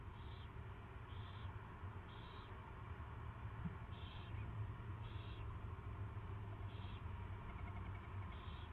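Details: During an owl's first feeding on 24 February 2016 at 2:15 PM, seven brief raspy high calls come about once a second above a persistent low drone.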